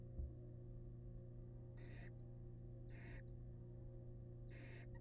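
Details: Barn owl family in a wild, monitored nest box when the male arrives with a rat; three fairly soft hissing screeches spaced over about three seconds, against a constant low hum.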